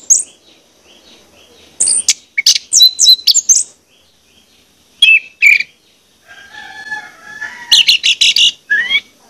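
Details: Orange-headed thrush song played to stimulate birds into singing: clustered runs of loud, varied whistled and chattering notes in several bursts, with faint hiss between phrases.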